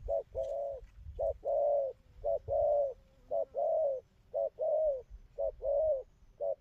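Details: Spotted dove with a moderate pearl collar and a machine-steady outer song, cooing well. Its soft low coos come in regular short-long pairs, roughly one note per second, over a faint low rumble.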